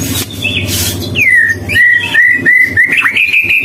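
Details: White-rumped shama song: after a second of noisy rustling, a series of clear whistled notes, each starting high and sliding down, repeated about every half second, ending in a higher trill, over a low hum.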